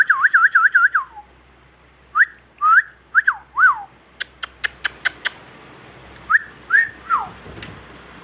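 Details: Indian ringneck parakeet giving a fast series of wavering whistled notes, then several separate rising-falling whistles, a burst of sharp clicks in between, and more short whistled calls near the end.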